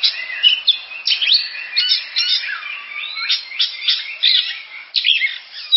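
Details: Oriental magpie-robin song: loud, varied whistled phrases with sweeping slurs and sharp chirps, delivered in rapid bursts with brief gaps, no other sounds.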